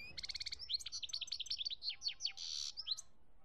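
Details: Goldfinch song recorded in Algeria, 2017: a fast buzzy stutter of repeated notes opens into a rapid run of sweet, sliding twitters and a harsh rasping note near the end, all high-pitched and continuous.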